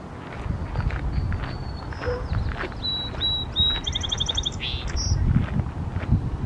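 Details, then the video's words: A song sparrow perched on a Y-shaped twig sings a few clear, even introductory notes, then a rapid buzzy trill and a quick falling slur, over a steady low rumble of wind. "Singing song sparrow"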